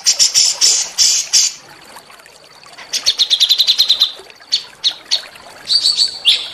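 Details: Small birds' song used to rouse a white-rumped shama into singing: harsh high bursts, a thin sustained whistle, then a rapid string of chirps and scattered sharp notes at the end.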